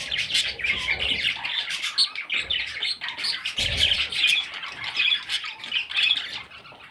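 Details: A group of parrot chicks chatters in harsh, high squeaks and buzzy chirps, densely overlapping and rising into louder clusters, with a faint low bump near the middle.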